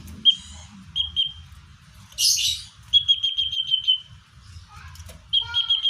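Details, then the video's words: Common iora, natural voice used to lure wild birds: high thin whistled notes in short bursts, a run of quick beaded notes fading out, and a brief noisy chirp, over faint low background rumble. "Suara cipoh/sirtu (natural)"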